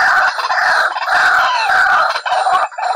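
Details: White-breasted waterhen lure call used for trapping: loud, harsh, grating calls run almost continuously, with short breaks about every half second.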